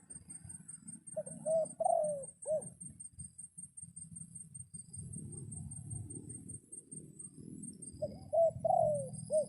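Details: Captive decoy red junglefowl crowing to call in wild junglefowl during rain; two four-part crows, about seven seconds apart, each a short rising note, a hooked note, a long falling drawl and a clipped end, over steady low rumbling background.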